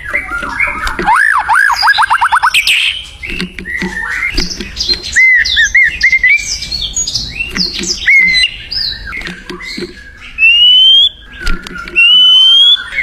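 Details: Free-living white-rumped shama singing vigorously: a rippling series of looping whistles, varied chattering phrases, then two long clear rising whistles near the end.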